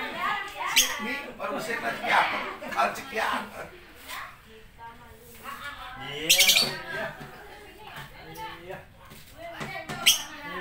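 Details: Lovebird giving a few sharp, shrill squawks amid a steady murmur of voices, with the loudest bursts near the middle and end.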